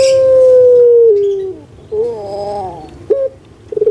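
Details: Captive Indonesian puter pelung collared dove: one sustained smooth hoot gliding gradually downward, then a wavering gurgled note and a short clipped coo.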